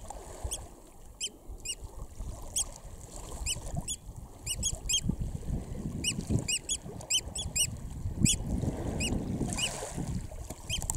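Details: Eurasian oystercatcher chicks filmed close up at RSPB Snettisham, Norfolk, on 19 July 2016, calling with many repeated high, piping peeps in loose clusters over low rumbling noise.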